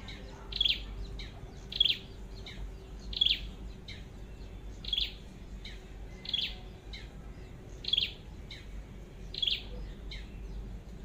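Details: Red-headed flowerpecker (chim sâu đầu đỏ) calling during trapping with a decoy bird: sharp, high, short notes repeated roughly every one and a half seconds, eight in a row, over a low background hum.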